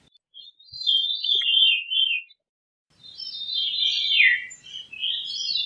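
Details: Veery singing two long, rolling phrases of fluty notes that spiral downward. A short gap separates them, and faint low rustling sits underneath.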